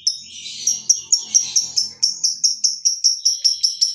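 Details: Fighter lovebird, a kept bird, singing as a lure for other lovebirds: a rapid train of high chirps, about four per second, steady and insistent.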